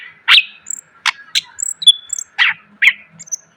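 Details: Greater green leafbird song for training cage birds: a few loud harsh chips separated by gaps, with thin high whistles and one level whistled note between them.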